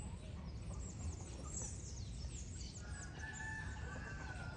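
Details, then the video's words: Rooster crowing at dawn on a rural farm. A drawn-out, level harmonic crow fills the second half, while small birds chirp thinly high above and a steady low rumble runs throughout. "GALO CANTANDO, Som de Galinhas, Sons da Roça ao Amanhecer"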